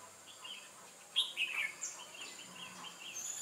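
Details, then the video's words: Red-whiskered bulbul song recorded while trapping wild birds, 8 October 2017: one quick, bright warbled phrase of rising and falling notes about a second in, with fainter chirps after it and a thin high insect hum. "Bẫy chào mào Bổi quá sung"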